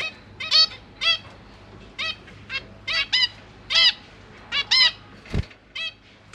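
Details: Zebra finch babies with parents feeding them in a new large cage, GoPro recording: loud nasal, trumpet-like calls repeated roughly every half second, with one low thump.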